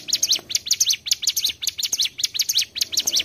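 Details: Trapping lure recording of a mountain tailorbird singing a rapid series of high, sharp chirps, each a quick falling-then-rising sweep, delivered in tight pairs and triplets without pause.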